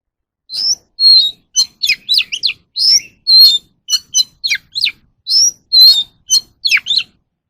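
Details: Oriental magpie-robin song, played as voice training for captive birds: a lively run of short whistled and slurred notes, some rising, some falling, sharp high chips between, about fourteen phrases in quick succession, clean with no background sounds.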